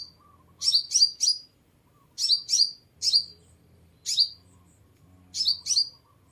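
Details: Lure recording of a sunbird: high, sharp, downslurred chirps in quick clusters of two or three, separated by pauses of about a second, with almost no background noise.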